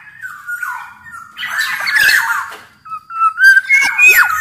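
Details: Black-naped oriole recording for luring and training: a held nasal whistle, then a loud scratchy, buzzing outburst, followed by clear whistled slurs and sharp downswept notes.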